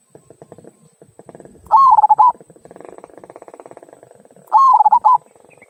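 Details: Local zebra dove kung song, played to encourage other birds to sing: two loud stuttering cooing phrases nearly three seconds apart, with softer rapid clicking and chattering sounds in between.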